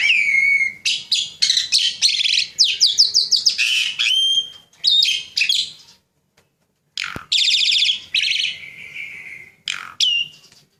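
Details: Caged Javan pied starling in vigorous song: a slurred whistle, then dense runs of scratchy trills and chattering, a pause of silence, then more rattling buzzy phrases and a final clear whistle.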